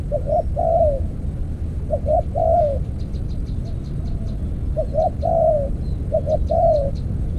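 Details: Spotted dove in decoy trapping with an earthen trap cage, repeating mellow phrases of a quick double note and a longer wavering coo, while small birds chip faintly and high in the background.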